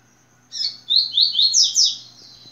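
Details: Yellow-bellied seedeater (papa-capim) singing its "tui tui" song: a high, bright phrase of about six rapid, sharply down-slurred whistled notes, rising in pitch toward the end, over a faint steady low hum.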